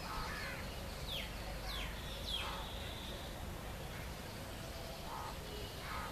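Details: Indian roller in a park in the morning giving harsh, rasping, crow-like calls: three quick descending notes, then two shorter ones, over a steady low rumble.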